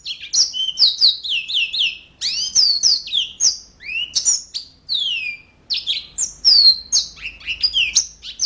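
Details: A long, lively song from a yellow-fronted canary in gacor style: repeated downslurred whistles, rising sweeps and sharp chips, rushed together in fluent, high-pitched phrases.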